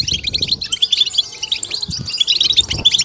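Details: European goldfinch song of the batbata style, played to stimulate and excite goldfinches: dense, fast high twittering with bright chirps and short trills running without pause, several voices seeming to overlap, with faint low thumps beneath.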